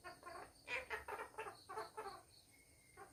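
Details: Pet parrot talking at home indoors: a quick run of about eight harmonic, voice-like syllables in irregular bursts over three seconds, with a faint steady high tone in the background.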